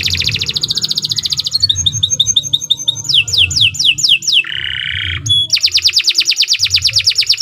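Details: Canary in continuous song: fast even trills, clipped repeated notes, a few falling whistles, a coarse buzzy roll, a high piping note, then a loud rapid trill.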